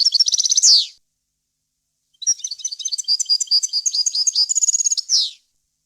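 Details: European goldfinch song of varied wild-style phrases, clean and error-free, kept for teaching young birds to sing: a short bright twittering burst, a pause, then a longer run of rapid liquid tinkling notes ending in a buzzy slur.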